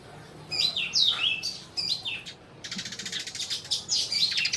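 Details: Chirping sparrows in Burma, a series of clear, high notes sweeping downward, then a dense rapid chatter of clipped chirps running together, with faint low background noise throughout.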